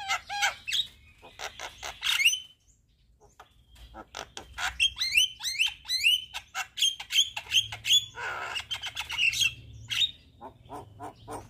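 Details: Javan myna (jalak kebo) singing in full 'gacor' form while nodding, its song packed with 'isian' fill phrases: harsh rasping bursts alternating with short bright whistled notes, a brief pause near two seconds, then dense whistles and chatter.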